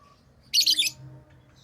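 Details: Lovebirds chirping: one dense, harsh, high-pitched burst of rapid chirps lasting under half a second, then quiet apart from a faint low hum in the background.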